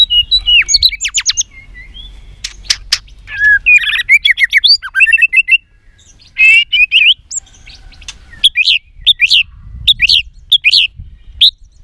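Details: White-rumped shama female voice used to excite males for fights, 'tạch líu' style: varied sharp clicks, warbled whistles and chirps in bursts, ending with spaced high rising chip notes, with soft background rumble.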